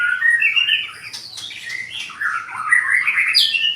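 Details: Brief burst from a White-rumped shama with a 20 cm tail: fast, clear, varied whistles sweeping up and down, bright and loud.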